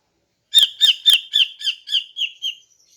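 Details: A female greater green leafbird sings in the morning to attract males. Eight grating notes run in a quick, regular series, loud at first and then fading, with a thin trailing whistle at the end.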